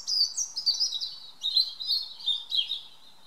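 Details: European robin singing in the evening in a garden; a continuous run of high, thin warbling phrases with quick sliding and trilled notes, several descending slurs, over faint steady background noise.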